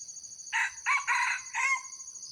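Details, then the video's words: Lure crow of an old Red junglefowl used to bring wild birds closer: one brisk crow split into four hoarse phrases, the last trailing off in a thin tone, with constant high-pitched insect buzzing behind. "pikat ayam hutan datang ori tua"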